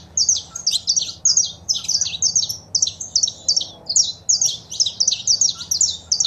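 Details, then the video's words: Saffron finch recording of female calling and male singing, played for a pet bird to prompt its song; continuous run of high, clipped chirps in tight pairs and triplets for over six seconds, bright and evenly paced. "Foguea seu Canário da Terra com Esse Piado de Fêmea e o Macho Cantando"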